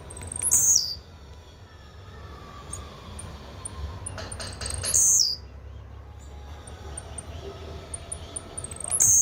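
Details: Blue-black grassquit sings three short, sizzling, descending buzzes, spaced about four seconds apart, with light high ticking between them.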